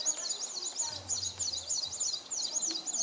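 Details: Displaying male São Tomé prinia at Nova Moca, São Tomé, 19 January 2019; a high, rapid series of thin, wavering looped notes repeated about three per second, with a low steady hum in the background.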